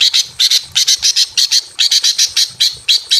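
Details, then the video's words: In a simple aviary, a breeding-condition female greater green leafbird calls a male with a rapid run of harsh, chattering notes in uneven clusters of two or three. "KICAU BURUNG CUCAK IJO BETINA MEMANGGIL JANTAN BIRAHI KAWIN DI KANDANG AVIARY SEDERHANA"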